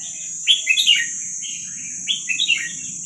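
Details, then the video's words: Young wild red-whiskered bulbul of Vietnamese stock, kept caged, singing short bright phrases of slurred whistled notes in two bursts, over a steady high hiss and a low murmur. "ลูกนกกรงหัวจุกเวียดนามป่า ใว้เปิดฝึกลูกนก"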